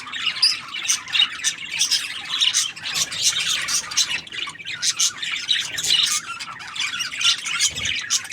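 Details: Chirping budgies keep up a continuous, high-pitched twittering of short squeaks and warbles, pulsing in bursts about every second, with a low thump near the end.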